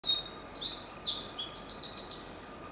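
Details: Wren singing on Miyake Island, Tokyo, Japan, recorded 7 April 2019: a high, fast song of thin whistled notes and rapid trills, ending in a dry rattling trill.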